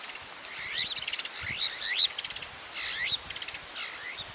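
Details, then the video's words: White-crowned starling, known in Somali as Dhalacad, a bird usually found near homes: a run of rapid chattering and squeaky notes, with quick rattling bursts and brief sharp whistles, over a light hiss of background noise. "Dhalacad | white crowned starling"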